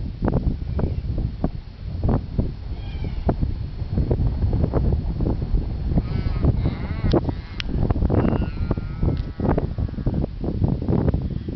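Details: An Australian raven at Lake Monger, Perth, Australia, gives a drawn-out, bleating wail with a falling, strangled ending, heard over heavy wind rumble and knocking noise.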